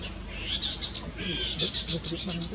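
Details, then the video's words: Chestnut-capped babbler giving high, thin chipping notes, then a quick run of about six sharp chips near the end, over a faint low background murmur. "Chestnut-Capped Babbler Call"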